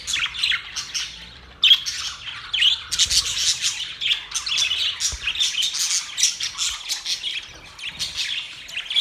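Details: Budgerigars chattering happily: a quieter opening, then a sudden loud burst of dense high chirps and scratchy warbles that keeps running in uneven pulses.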